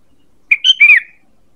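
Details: Single lure call of a sooty-headed bulbul: a short chirp, a level whistled note, then a longer arched whistle sliding downward, clean and close.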